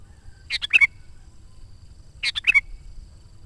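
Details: Sooty-headed bulbul singing actively, a recording used to lure wild birds: two quick bubbly phrases of three or four notes each, ending in a clear whistled note, about two seconds apart.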